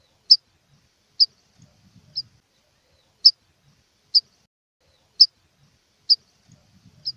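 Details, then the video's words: An aggressive rufous-collared sparrow calling to set other birds singing, its sharp high chip notes coming about once a second, irregularly, with faint low thumping noises between. "tico-tico chamando agressivo para foguear"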